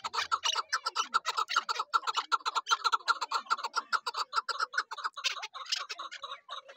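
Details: Female partridge call used as a lure for hunting wild partridge with a trap; rapid run of harsh clucking notes, about two to three per second, continuing steadily throughout with slight variation in loudness.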